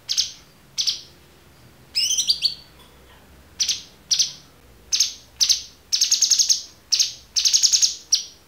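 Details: Cucak cungkok on a tutor recording for training songbirds: short harsh high chattering bursts, repeated roughly every half second, some stretched into fast rattling trills.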